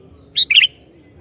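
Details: Sooty-headed bulbul singing energetically to provoke other bulbuls: one short phrase, a clear high note followed by a quick two-part chirpy warble, over a low steady hum.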